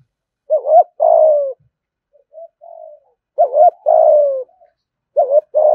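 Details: Spotted dove kept as a cage bird, giving thúc gù cooing. Paired phrases open with a quick double-humped coo and end in a drawn-out, gently descending coo, with soft low coos in the gaps.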